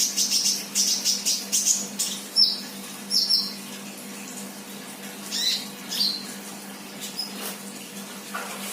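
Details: Untrained sunbird chirping actively, giving scattered thin, very high chirps and short sweeping notes in uneven bursts, with quieter stretches between them over a steady low hum.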